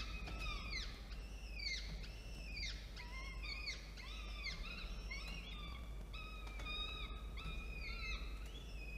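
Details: Falcons at a camera-watched nest on 13 October 2022, female feeding two chicks prey brought by the male. A long run of short, sharply inflected harmonic squeals, some swooping down, repeated roughly every half second over low hum.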